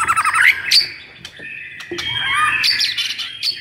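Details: White-rumped shama singing agitatedly to spur silent birds: rapid buzzy chatter and sharp whistles flowing into sustained warbled phrases, loud and busy.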